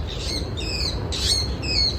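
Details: At Hobsonville Point, Auckland, New Zealand, a song thrush, mimicking songs of local birds, sings short, varied phrases of bright, squeaky whistles and chirps, each a fraction of a second, over a low background rumble.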